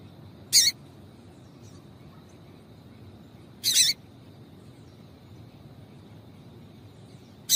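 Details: Female double-collared seedeater calling to excite the male into singing; two sharp, very high, brief chip notes about three seconds apart, over a faint steady hiss.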